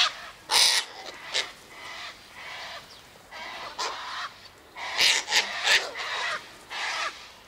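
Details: At an eastern gate, a sulphur-crested cockatoo eating sunflower seeds, wheat and birdseed gives repeated harsh squawks of varying loudness, with a cluster of sharp raucous calls near the end.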